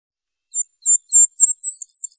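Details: Goldcrest calling: a run of very high, thin, sibilant notes, starting faint and growing louder, about seven short units each roughly a quarter second apart, evenly spaced at the same high pitch, with no other sounds.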